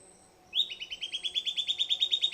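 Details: Silvered antbird singing, starting with a sharp upward note, then a rapid, regular chain of bright whistled notes that grow louder.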